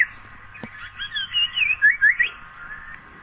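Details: Asian paradise flycatcher giving a short burst of bright, slurred whistles that rise and fall quickly over about a second, after a single sharp click, against a quiet steady hiss.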